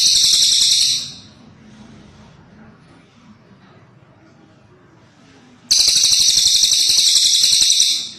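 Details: Cililin bird delivering a high, fast-pulsed buzzy trill for about a second, then quiet for several seconds, then another loud, even trill of around two and a half seconds.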